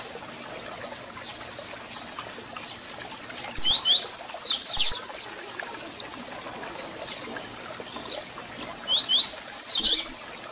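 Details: Captive-bird warm-up recording of a double-collared seedeater: two separated bursts of rapid, high, sharply descending whistled notes, roughly eight notes each, separated by several seconds of quiet hiss.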